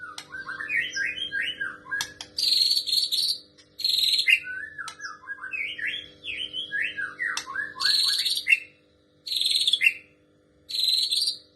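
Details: White-rumped shama singing female prinia imitation material: varied whistled phrases sliding between low and mid pitch, alternating with harsh buzzy high bursts roughly every one to two seconds, with a faint steady low hum underneath.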